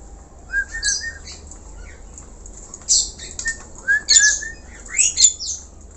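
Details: Vigorous black-collared starling song: a few level whistles, then a quiet gap, then clusters of harsh squawks and rising whistled slurs in irregular bursts.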